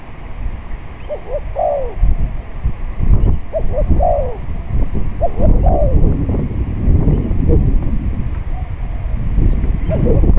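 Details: Spotted dove at a traditional decoy-trapping session on a windy day repeats its song three times, each a pair of short coos and a long downward-curving coo, over constant blustery wind.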